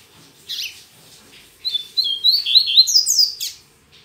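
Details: A double-collared seedeater sings in the morning, its song still not strong. One short chip comes first, then a quick chain of sharp whistled notes climbing higher and closing in a brief scratchy trill.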